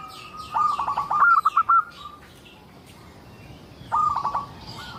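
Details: A local zebra dove sings as a lure to get other zebra doves singing. One long phrase of rapid clipped coo notes is followed, after a pause, by a shorter one. Higher chirps from other birds come at the start.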